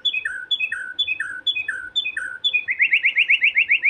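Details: White-rumped shama song used to provoke a shama into singing: a falling three-note whistled phrase repeated five times, then a rapid run of sharp rising chips about seven a second.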